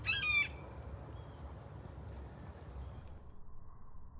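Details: On 28 October 2020, a blue jay imitates a hawk, giving one harsh, ringing, hawk-like scream lasting half a second, followed by near silence over a low background rumble.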